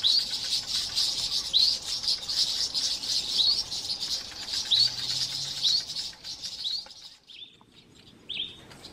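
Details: Garden birds mobbing a male boomslang tree snake over a metre long, alarm spreading to nearby birds; dense, high scolding chatter with rising chirps that thins out near the end, leaving a few isolated notes.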